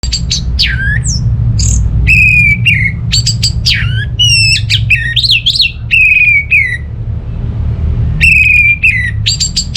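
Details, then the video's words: Orange-headed thrush from North Bali, Singaraja, singing loudly as a lure for home birds that are not singing: rapid bursts of sharp, ringing whistles and buzzy slurred notes, some falling, in dense phrases with short pauses, over a steady low hum. "Gak Sabar ANIS MERAH Mau Nyaut Gacor❗❗❗Pancingan Ampuh Buat Burung Dirumah yang lagi Malas Bunyi"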